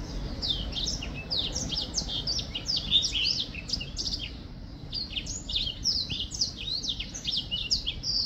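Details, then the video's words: Black-throated finch singing, recorded in 2023: a dense run of short, high chirps and quick down-slurred notes tumbling one after another, a brief pause midway, then more rapid chipping over a faint low hum. "Black throat finch singing / 黑喉燕歌唱"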